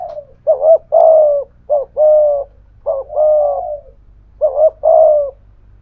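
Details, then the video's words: Spotted dove cooing, a thổ-voiced decoy bird provoking a wild dove; four two-part phrases of deep, hollow notes, each a quick clipped coo then a longer falling one, over a faint low hum. "cu gáy giọng thổ pha thúc GÙ đấu với bổi, tiếng gáy bổi nghe rất ghét và gáy theo hiệu quả"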